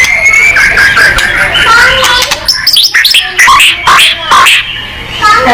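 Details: Lively white-rumped shama song meant to provoke other birds: a steady stream of whistles and harsh chatter, with a busy, crowded background and short rising notes near the end.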